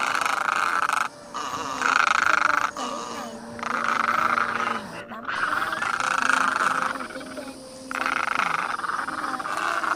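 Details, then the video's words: Great egrets calling the flock, used as a lure for shooting or trapping: a run of harsh, rasping croaks, each about a second long, following one another with short pauses over ten seconds, several birds overlapping. "Tiếng Cò Ngàng - Tiếng Cò Trắng Lớn"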